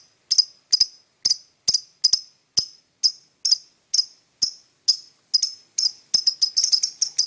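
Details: Lovebird calling in the morning with short, piercing high chirps repeated steadily about twice a second, often in doubled notes, speeding into a quick cluster at the close.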